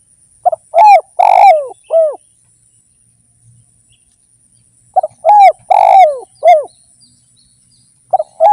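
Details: Spotted dove cooing steadily for a lure recording: two phrases about four seconds apart, each a quick double stutter, a long hoarse coo and a curved closing note; quiet between.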